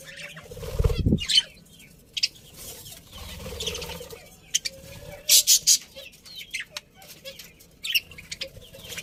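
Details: Happy pet budgerigars in a colony, intermittent sharp high chirps and short clicking bursts among scratchy chatter, with low rustling and bumping sounds.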